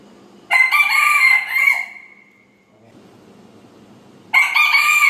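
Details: Rooster crowing in the morning: a loud, hoarse cock-a-doodle-doo with a long trailing finish, followed after a pause by the start of a second crow.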